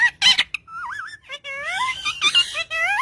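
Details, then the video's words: Green parrot talking to its owner, with wavering, tonal, speech-like phrases that glide up and down, broken by short pauses and a few sharper bursts. "Beautiful parrot talking to it's owner"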